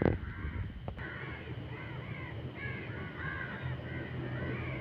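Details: A crow shouting at midnight keeps up a run of short, harsh caws repeated roughly every half second. A loud thump opens the sequence, over a heavy low rumble.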